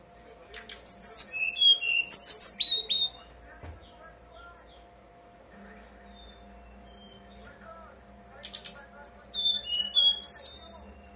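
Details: Brown-chested jungle flycatcher, kept as a cage bird, song used to prompt other birds of its kind to answer and sing: two bursts of varied whistled and chattering phrases, high and sharp, separated by several seconds of quiet, with a steady low hum beneath.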